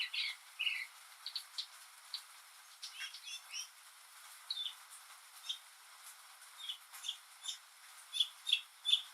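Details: Northern mockingbird, a lone male singing on a rainy day, mimicking other birds and sounds; scattered chirps and short varied phrases, some doubled, with faint patter and background hiss.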